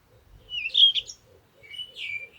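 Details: Songbird in nature: a quick, bright warbled phrase with a rising whistle, a pause, then a shorter, softer sliding phrase, over faint low background ticking.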